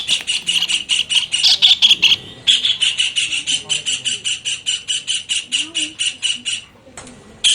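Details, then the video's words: Kingfisher tutor recording meant for teaching songbirds: a long, fast series of sharp, shrill notes about six per second, briefly pausing twice, then resuming in the same insistent rattling rhythm. "Tengkek raja udang masteran untuk burung kicau"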